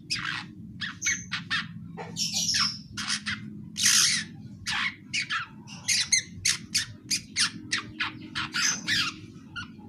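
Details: Young long-tailed shrike chattering while learning to sing: a rapid series of harsh, raspy squawks and scratchy notes, repeated several times a second in uneven bursts, some louder and buzzier, with a faint low hum behind.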